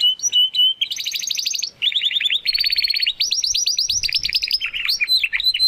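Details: Young Spanish Timbrado Classico canary practising toward its full song: a steady whistled note, then continuous fast rolling trills shifting between pitches, closing with looping slurred phrases.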